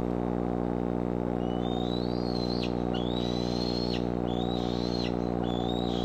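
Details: Nest-camera sound from the Decorah bald eagle nest, July 6, 2011, afternoon or evening activity: four drawn-out high whistles, each rising slowly before a quick downward flick, about one second apart, over heavy constant humming.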